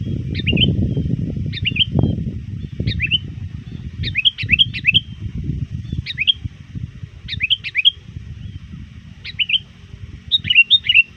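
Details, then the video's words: Sooty-headed bulbul lure bird, often trained, still calling hard to rivals toward dusk: a lively series of about nine short chirpy, warbled phrases, some doubled, over a continuous low rumble. "suara burung kutilang gacor memanggil lawan"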